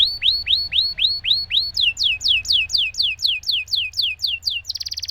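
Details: Canary singing to prompt silent canaries: rhythmic falling whistles repeated about four per second, first lower then a higher, sharper series, closing with a quick buzzy trill.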